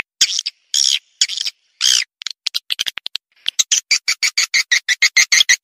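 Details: Calls of swiftlets used as a lure: a few separate squeaky chirps and clicks, then a quickening row of evenly spaced high chip notes.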